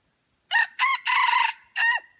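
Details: Wild red junglefowl from Aceh, Indonesia, crowing in a crowing contest at Kuta Malaka: two short harsh notes, then a long sustained blaring note, then a final drooping syllable. A steady high insect drone runs underneath.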